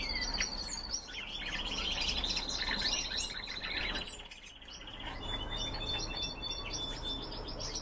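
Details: Captive red crossbills, several birds kept indoors, giving rapid high chirps about four per second with a thin sustained whistle running through, calls overlapping over a steady low hum; a brief lull near the middle.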